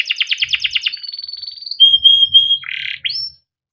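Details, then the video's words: Canary cuit cuit ngerol song used as a training master: a fast pulsed trill, a thin level whistle, a loud pure steady tone, a harsh buzzy note and a short rising chirp, faint low rumble beneath. "burung KENARI CUIT CUIT NGEROL untuk pancingan kenari biar gacor || kenari gacor panjang || canary"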